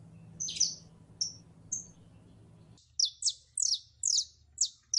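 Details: Female canary in heat calling to a male to mate: short, sharp, high chirps, a few scattered, then a quicker run of six downward-sweeping notes at roughly three per second over a soft low hum.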